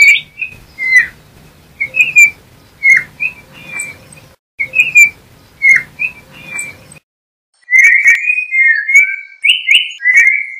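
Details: Yellow-backed Oriole (Icterus chrysater) song: clear whistled notes around mid-high pitch, given in short phrases with pauses, then a richer run of slurred whistles near the end; faint low hum underneath the first part.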